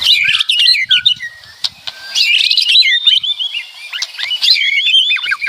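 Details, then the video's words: Lively, loud white-rumped shama song: bright whistled slurs and bursts of rapid chirps, with a quieter stretch of soft notes midway before fresh energetic phrases. "Suara Kicauan Keras Murai Batu Meriah Full Isian"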